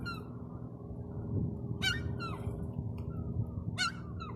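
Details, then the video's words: Gull making silly noises while pigeons gather nearby. Two sharp, harsh calls with falling tails come about two seconds apart, with fainter calls between, over a steady low rumble. "Seagull making silly noises attracting pigeons"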